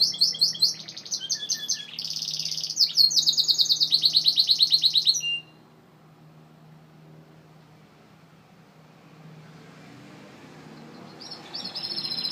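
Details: Gloster canary bursting into about five seconds of dense rolling trills and pulsed chatter, then falling silent before a quiet trill resumes near the end; steady low hum throughout.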